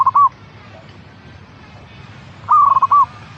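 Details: Zebra dove song from a local caged-bird lure recording: two short, soft cooing phrases made of quick rolled pulses, about two and a half seconds apart, with a quiet low hum between them.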